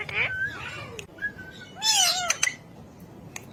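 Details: Talking ring-necked parakeet voicing a drawn-out, wavering meow-like call, then a flat whistled tone and a louder bending harmonic cry with a harsh burst on top, followed by quieter clicks.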